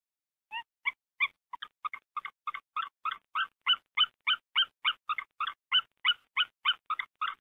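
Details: White-tailed eagle at a Hungarian nest, 8 February 2019, 14:42: the female gives about twenty sharp, yelping notes, roughly three a second, growing louder, calling the male to take over incubation; he then arrives.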